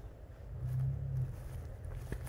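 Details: Yearling juvenile emu, just starting to develop its voice beyond cooing, gives a deep, low rumbling grunt lasting about half a second, over a steady low background hum.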